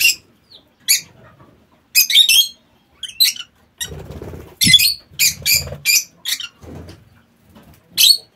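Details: Lovebirds in an aviary squawking repeatedly, with piercing high chirps scattered irregularly about every half second, some in quick pairs, with soft low thuds between them.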